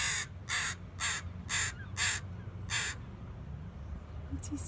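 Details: A crow calls near a ferry waiting area, from Crofton to Vesuvius, while a dog biscuit is thrown to it. It gives six harsh, evenly spaced caws about every half second, then goes quiet over low rumble.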